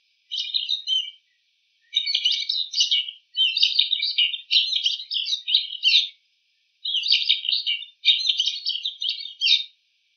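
A bull-headed shrike gives a rapid, chattering medley of high, scratchy notes in bursts of one to two seconds, imitating other birds' calls.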